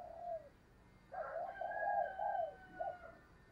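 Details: Spotted dove coo used to provoke fighting, in wild-dove style: a soft falling note, a pause, then a rough three-part low cooing phrase with a long middle coo over steady background hiss and a faint thin higher whistle.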